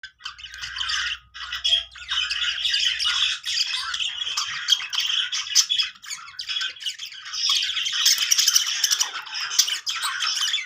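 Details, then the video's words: Budgerigars making happy sounds: dense, continuous scratchy chatter and squawks, busy and high-pitched throughout, with loudness rising toward the end and a faint low hum in the first three seconds. "cute budgie birds making happy sounds"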